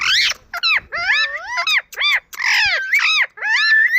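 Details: Dense, rapid chattering of an Indian ringneck parakeet: loud harsh squawks and bending squeals packed into four seconds with barely a pause.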